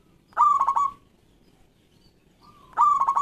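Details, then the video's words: Local zebra dove singing loudly, a lure recording meant to prompt quiet doves to sing: two phrases, each a soft lead-in note followed by a rapid burst of pulsing coos, separated by about two seconds of silence. "Perkutut Lokal Gacor Suara Lantang"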